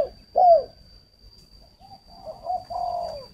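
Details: Decoy spotted dove from a breeding garden in Ba Vì, Hanoi, Vietnam, cooing to lure others: two loud, low, slurred coos open the clip, then softer, drawn-out hoarse coos, over a steady faint high electronic whine.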